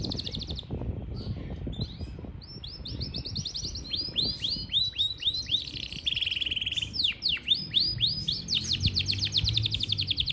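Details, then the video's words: A Yorkshire canary in Parachinar sings a long, high, rapid warble of bright trills and down-slurred whistles, rolling on without pause over faint low background noise. "Yarkshiere Canary Singing"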